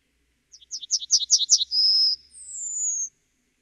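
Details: Yellowhammer (Emberiza citrinella) song: a quick series of about eight dry chipping notes on one pitch, then a long sustained high note and a second, higher drawn-out note that slides slightly downward.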